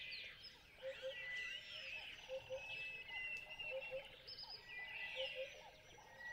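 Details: Sociable weavers in Kgalagadi Transfrontier Park chatter constantly in a busy flock, with overlapping high squeaky chirps and twitters. Short low hooting notes repeat beneath them about every second.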